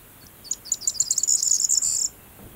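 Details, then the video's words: Corn bunting (Miliaria calandra) singing in a field of yellow-flowering rapeseed: a quick, high jangle of ticking notes that speeds up and ends in a buzzy, glassy trill like shaken keys, quiet background. "Corn Bunting singing / Presura sura cantand"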